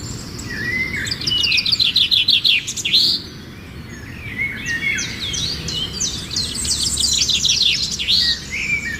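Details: Playing sparrows chattering: rapid bright chirps in quick runs, a pause near the middle, then more twittering with tumbling high notes, over constant low environmental noise.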